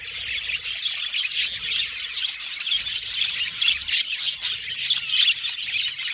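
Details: An aviary colony of budgerigars sings and chirps. Layered squeaky warbles and fast twittering blend into a constant high chatter with occasional louder chirps.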